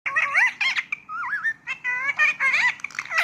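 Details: Indian ring-necked parrot talking indoors: wavy, word-like harmonic phrases in short bursts, sliding up and down, with brief pauses between utterances.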